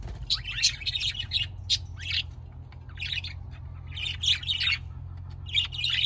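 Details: Budgerigars warbling in quick, scratchy bursts of chirps and squeaks that come every second or so, with a faint low hum underneath.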